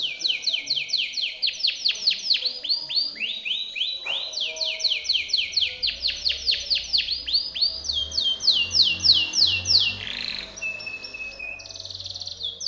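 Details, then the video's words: Powerful training song from a Timbrado canary: repeated tours of descending whistled sweeps, a brief pause, more rapid sweeps, a buzzy burst and a final fast trill; low hum in places. "TIMBRADO canary singing - Timbrado canary's most powerful song for training / canary training song"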